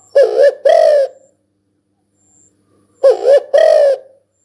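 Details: Spotted dove calling with two clear cooing notes, the second long and slightly falling, repeated once about three seconds later in an otherwise quiet setting.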